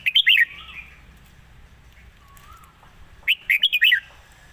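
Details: Red-whiskered bulbul song, admired for its phrasing and light delivery: an opening cluster of three or four loud whistled notes, a long quiet stretch with faint low slurs, then another rapid run of five chirpy whistles.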